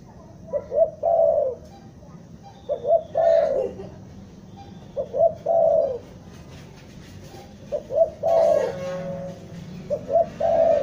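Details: A spotted dove from Bandung calls in the stuttering lure style used for trapping. Soft paired short coos lead into a longer coo, repeated regularly, with some rustling and brief noise bursts.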